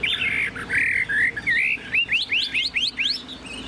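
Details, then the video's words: Hand-carried caged Chinese hwamei singing with its tail spread: a few slurred whistles, then a rapid series of sharp, rising whistled notes repeated about three times a second. "Họa mi thuần sách lồng hót"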